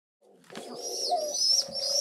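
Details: Rock pigeon chicks, rescued and in care for seven days, waiting for breakfast indoors: thin high wheezy whistles sliding up and down over a steady low hum of squeaky peeping, building in loudness.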